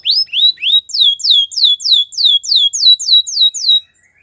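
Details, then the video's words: White canary in a training song gives about a dozen loud, clean downslurred whistles at an even pace, around three per second, then falls silent; no other sounds. "Canary training song | White canary singing with beautiful melodies"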